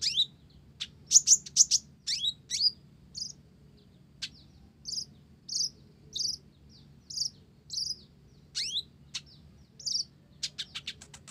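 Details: Olive-backed sunbird of the blorok type singing vigorously, its song filled with Java sparrow phrases: sharp high chirps and short buzzy notes in quick bursts, then spaced single notes every half second over a faint low hum.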